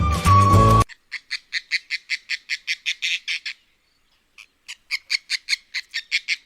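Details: Oriental darter, Sri Lanka, a usually silent water bird, gives a fast, dry chattering series of clicking notes, about four a second, pausing once before resuming; a brief burst of music opens it.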